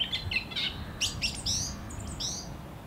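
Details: Song thrush in song, a quick string of sharp chirps followed by clear, rising whistled notes and two slurred whistles, over a faint low rumble.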